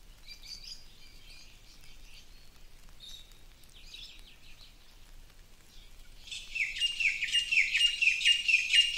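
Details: Birds singing in a tropical forest on the Big Island, Hawaii: sparse high chirps and short trills for six seconds, then a louder, dense run of rapid twittering notes repeated about twice a second until the end.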